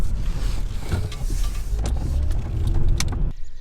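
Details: Loud, steady low rumble of a vehicle with mechanical whirring and scattered clicks, ending in a sudden drop to quiet; no animal voices can be picked out.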